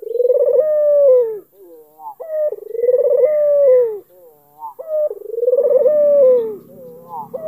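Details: Albino Barbary dove with a black neck ring, cooing to provoke a rival into answering: drawn-out mellow coos with a falling ending, each about a second long, alternating with shorter higher whistled notes in a steady repeating cycle.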